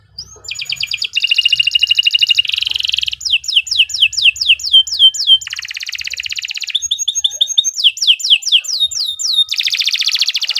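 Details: Canary giving long, unbroken shrill song to train other birds: varied fast trills alternate with buzzy stretches and chains of sharply falling whistled slurs, delivered without pause.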